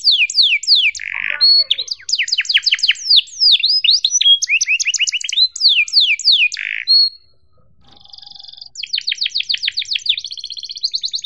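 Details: Long, energetic canary tutor song in "cuit cuit" style: swift descending whistles and rolling trills, harsh buzz notes, a brief pause, then a fresh run of quick repeated high syllables.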